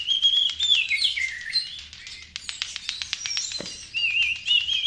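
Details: White-rumped shama singing as a lure: a steady whistled note, descending slurs, a stretch of rapid ticking, then clear whistles resuming.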